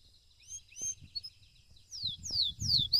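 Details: Belgian canary in a singing competition, quiet at first with faint rising whistles, then louder descending swooping notes repeated near the end over low thumping background noise.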